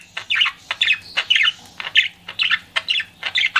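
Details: A flirting pet budgie repeats short squawky chirps roughly twice a second, each a rough burst of mid-high notes, with a soft hum underneath.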